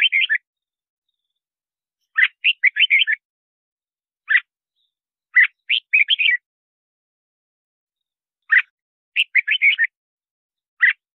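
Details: Red-whiskered bulbul singing to lure wild birds and train its voice: repeated chattering phrases of quick warbled notes alternating with lone short chirps, spaced a second or two apart, on a quiet background.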